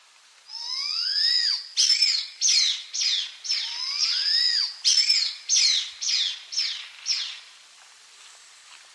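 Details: Blood pheasant singing and calling: a thin high whistle slides upward and then drops, and a burst of sharp, scratchy, high notes follows, repeated about every half second. The whole pattern plays twice.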